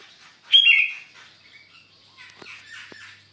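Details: Sooty-headed bulbul on a Sunday morning at Sukanegeri, OKU Timur, gives one loud, bright, bubbling phrase, then quieter chirps. Two faint knocks follow.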